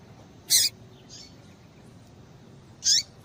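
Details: Two piercing high calls from a female double-collared seedeater about two and a half seconds apart, with a fainter softer note between; a call meant to excite males. Light background hiss.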